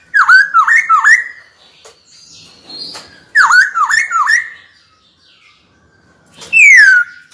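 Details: Caged white-cheeked laughingthrush singing to provoke a rival into fighting: bursts of loud V-shaped whistled notes repeated in quick runs, then a long clear whistle sliding downward, in a small quiet room.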